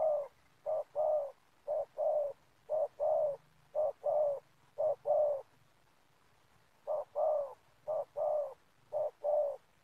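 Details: Spotted dove calling while birds are trapped in an oil palm plantation: a regular series of paired low coos, a brief note then a longer one, about one pair per second, with a short pause midway and a faint low hum.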